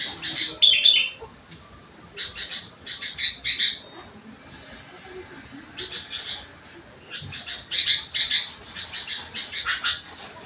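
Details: Sooty-headed bulbul delivering song filled with rengganis and cucak wilis phrases, a string of bright, high, chirping bursts in clusters separated by brief pauses, some notes harsh and squawky, over a quiet background.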